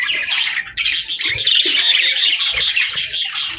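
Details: Afternoon chatter of budgerigars: rapid, scratchy, repeated chirps in a steady run of about two to three notes a second after a short soft warble at the start.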